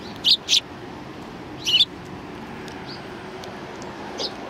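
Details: Sparrows at a Tenmangu shrine on 7 January 2019, greeting visitors: two sharp chirps close together, a paired burst near the middle, then a faint final chip, all separated by quiet stretches.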